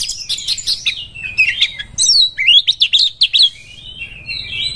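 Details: Oriental magpie-robin in breeding condition, song used as a lure for other birds: rich, varied whistled phrases with fast trills and rising-falling notes, a burst of quick repeated chirps mid-way, then a long sweeping whistle.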